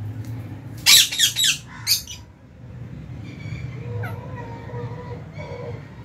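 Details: Aviary lovebirds at feeding time in January, mixed colours including Fisher's and lutino; a quick cluster of loud, rasping chirps early on, then quieter thin whistled notes over a low background hum.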